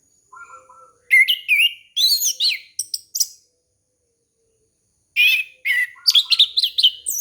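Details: Orange-headed thrush singing, a recording meant for luring wild birds: two bursts of quick, jumbled whistles and chattering notes that sweep up and down, separated by a two-second pause, preceded by a soft low whistle.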